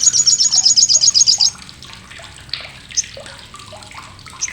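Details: Harsh, sharp chatter of an olive-backed sunbird used to tutor contest birds: about one and a half seconds of rapid high rattling notes, then only faint scattered chirps and light background sounds.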